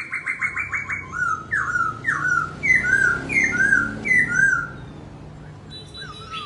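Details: Laughingthrush dancing and singing, opening with a fast buzzy rattle and then a series of about seven loud, rich downslurred whistles, roughly two each second, before the song trails off quietly.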